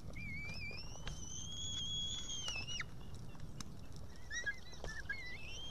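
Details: Young white-tailed eagle at an Estonian nest camera, evening of 8 June 2018, possibly the female eaglet calling for help after failing to eat a fish: a long, thin, high whistle, drawn out and slightly rising, then shorter wavering whistles over a low wind rumble.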